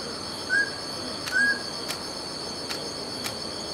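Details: Mountain scops owl giving a pair of clear, slightly rising whistled notes about a second apart, over a steady high insect drone and occasional sharp clicks.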